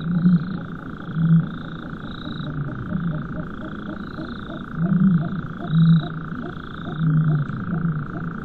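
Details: Common ostrich giving deep, dull booms in short pulses a second or so apart, somewhat distant, with a churring nightjar-like song in the background over a constant hum; ostriches are rarely heard or recorded.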